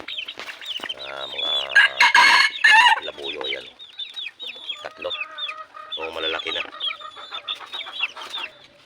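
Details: Red junglefowl (labuyo) kept by their owner in the Philippines give a busy run of harmonic clucks and squawks, a loud harsh burst near two seconds, then steady overlapping chattering clucks.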